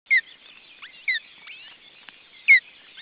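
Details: Osprey chick in the nest, one of two chicks, June 2012: three loud, sharp descending whistled notes, spaced about a second apart, over a constant backdrop of soft high chirping from other small birds.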